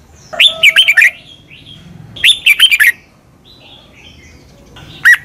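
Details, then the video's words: Red-whiskered bulbul, doubled southern master song for young birds to copy: two quick phrases of warbled whistled notes about two seconds apart, then one short note at the end. "เสียงนกกรงหัวจุก เบิ้ล แม่บทใต้"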